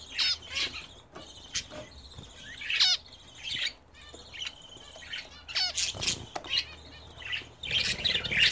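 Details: Domestic budgerigars kept and bred indoors, gathering to bathe: bright chirps and rising whistled notes mixed with harsh squawks. A few birds call over one another in quick irregular bursts.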